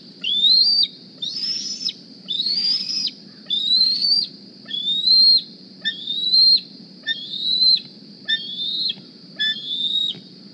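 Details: Young bald eagle hatched in April 2020, fitted with a GPS transmitter, back at its nest one morning squeeing for a meal: about ten loud, high, rising whistled squees, each roughly a second long, over a steady background hiss.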